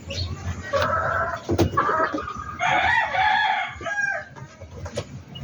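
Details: Backyard poultry chicken giving two strained, harmonic-rich call phrases, the second longer and louder, over a low background rumble with brief knocks and scattered clucking.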